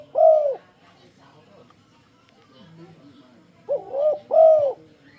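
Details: Spotted dove (tekukur) luring call to make other doves sing along: one mellow coo, a quiet pause with faint low sounds, then a phrase of two short coos and a longer rounded coo.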